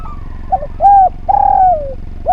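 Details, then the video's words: Spotted dove song from a training recording for other birds: a brief low coo, then a flat drawn-out hoot and a longer note that sinks at its end. A faint higher warble sits behind it, over low hum. "Derkuku Gacor Suara Nglaras, Masteran Derkuku Paling Top Cer"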